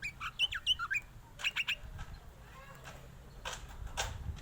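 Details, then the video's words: White-rumped shama song: a burst of clear whistled and slurred notes in the first two seconds, then softer scattered chips fading into low rumbling background noise. "burung kacer bersuara merdu"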